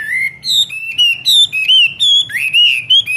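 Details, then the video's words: Caged Chinese hwamei, an experienced bird, in a morning singing practice session: clear whistled notes, sliding and rising, in a quick run of short, varied phrases with brief gaps between them. "Luyện hót cho họa mi mỗi ngày 15 phút vào buổi sáng đối với chim chơi giàn cứng"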